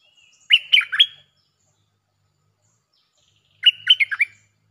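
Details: Bulbul song for luring with doubled phrases: two neat three- to four-note chirpy, whistled phrases about three seconds apart, with quiet in between.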